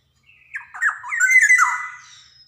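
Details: Javan Black-naped oriole, a lively bird with varied melody, used as a lure recording to stimulate young birds: one drawn-out, nasal, squawking phrase with wavering slurred notes that swell and then fade.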